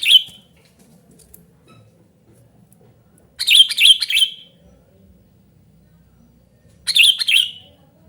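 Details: Noisy calling Sooty-headed bulbul, played to lure birds and tutor quiet bulbuls: a brief sharp chirp, then a stuttering rapid cluster of harsh notes, and a shorter chattering burst near the end, with silence between.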